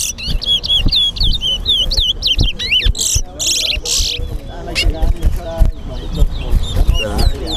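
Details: Towa towa (chestnut-bellied seed finch) singing in a bird singing competition at Guyana National Stadium: rapid high whistled slurred notes, then buzzy rasping bursts, over crowd chatter, speech and music.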